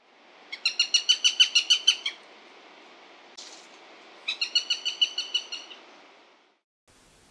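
Eurasian sparrowhawk alarm calls: two rapid bursts of about ten to twelve sharp, high kek notes, chattering fast, with a faint click between and light background hiss.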